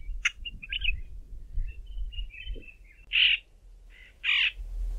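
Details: White-fronted bee-eater uttering brief nasal notes and two loud harsh bursts near the end, over low background rumble.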